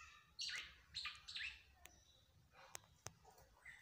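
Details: A captive black-naped oriole, still vocal despite resisting care, gives three quick harsh chattering notes in the first second and a half, then sparse clicks and a faint whistled note near the end.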